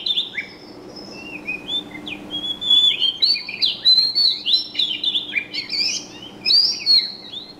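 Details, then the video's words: Sparse chirps at first, then building into a dense chatter of high, sliding, twittery bird notes from around three seconds onward, with pulses of louder phrases and a soft background hum. "Wonderful Birds Chirping Sound / Suab Noog Quaj Zoo Heev"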